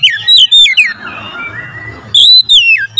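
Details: Oriental magpie-robin lure song: a few loud whistled slurs, a softer fading passage, then a strong high whistle and two sliding notes, with a low background hum.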